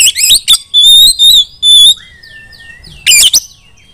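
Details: Female white-rumped shama calling other shamas to sing: harsh opening notes, long clear high whistles held steady, a softer lower drawn-out whistle, then a loud rasping burst.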